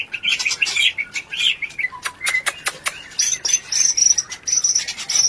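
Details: White-rumped shama rencetan lure sound, used to arouse mating desire so birds breed quickly: buzzy, high chattering notes early on, then sharp dry clicks, and finally a run of thin, high, clear whistles.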